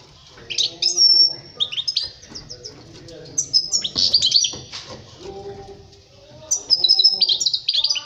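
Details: European goldfinch song from 2020, meant for teaching young birds to sing: bursts of high, tinkling twitters and buzzy notes in quick clusters with short pauses between phrases. Softer, lower tonal sounds underneath.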